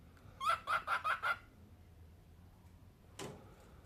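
A cockatiel gives five quick, raspy, harmonic notes in a row, followed by a single sharp tap.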